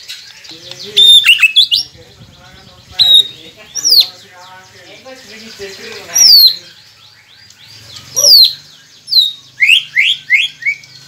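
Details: White-rumped shama song for prompting caged birds to sing: loud, widely spaced bursts of sharp descending whistles and chattering notes, ending with a quick run of rising slurs.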